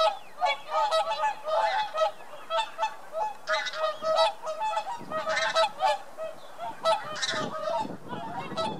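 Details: A flock of whooper swans wintering in the Netherlands after arriving from Scandinavia gives loud, bugling honks, many voices overlapping in a steady stream of nasal, trumpet-like calls.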